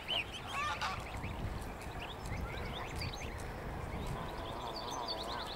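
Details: Greylag goose families with goslings: a loud honk opens, followed by scattered short nasal calls and thin chirping notes over a continuous low rumbling background.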